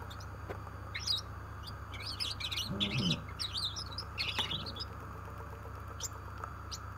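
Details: A Gouldian finch sings a thin, high, buzzy run of scratchy chirps and clicks over a low steady hum, with a few low knocks midway.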